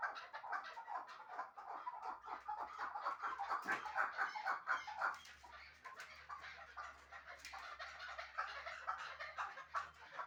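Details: Hunting chukar partridge of Shahritus calling in a steady run of clucking chuk notes, about two per second, rough and mid-pitched, rising in intensity near the middle, with a low background hum.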